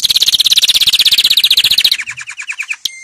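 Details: Canary trill played to teach young birds: a fast even rattling tour of about thirty notes that slows and drops in pitch, ending in a click.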